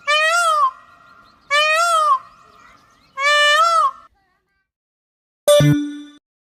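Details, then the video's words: A peacock (Indian peafowl) gives three loud, nasal, wailing calls, each swelling up and dropping away, about a second and a half apart; a brief artificial tone follows. "બાળકો હવે આપણે મોર નો અવાજ સાંભળીએ બાળકો"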